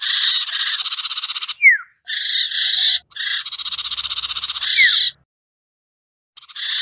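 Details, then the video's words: Harsh sirtu lure call intended to draw birds down, made of steady buzzing rattles with two quick descending whistles, followed by over a second of silence before the rasping resumes. "suara pikat burung sertu sirtu cipoh yang susah turun"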